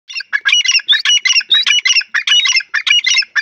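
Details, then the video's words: Francolin (teetar) calling, a rapid run of loud, harsh chirping notes between mid and high pitch, about a dozen bursts packed into a few seconds with short gaps, some with whistled upper strokes. "teetar ki awaz"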